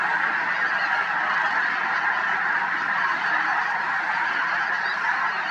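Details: Snow geese in flight over Merced National Wildlife Refuge, California, on 21 February 2021, alongside sandhill cranes; a dense, continuous chorus of overlapping honks and yelps from a large flock, steady in loudness throughout, with no gaps.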